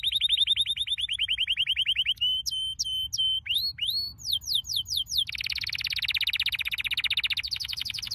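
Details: Canary training song: an evenly repeated rolled trill, then a few clear whistled pips and quick falling sweeps, followed by a long dense buzzy roll, with no other sounds.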